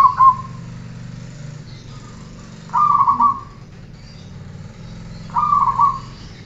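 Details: Zebra dove song for bird training: three trembling coo phrases spaced about two and a half seconds apart, with a low droning hum in the background.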